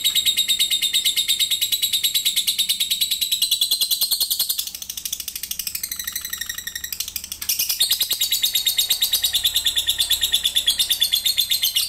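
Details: Lovebird competing in an online singing contest, from Sambas, West Kalimantan, Indonesia; long continuous high rapid trilling chatter, unbroken and pulsing, with a brief softer shift midway before the dense trill resumes.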